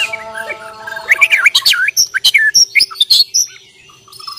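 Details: White-rumped shama from Borneo in a fighting challenge: loud, rapid bursts of bright, varied whistles and sharp chirps jumping between high and low notes, fading into a faint steady hum at the end.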